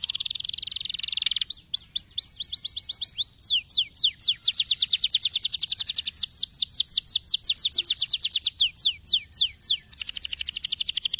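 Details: Canary song played to stimulate other canaries to sing: long runs of rapid, evenly repeated high rolling notes, switching between trill types, with a brief harsh burst at the start and a steady low hum underneath.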